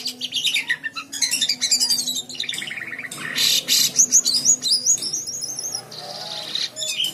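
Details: White-shouldered triller singing steadily, used as a long master recording to train other songbirds; a rich run of high whistled notes, chirps and rapid trills shifting pitch, with brief rasping bursts mid-phrase.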